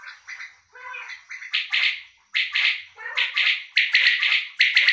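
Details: Kept male common quail, known locally as bulara, calling almost continuously. Bright clipped bursts come in quick triplets, with softer chattering notes between the louder phrases.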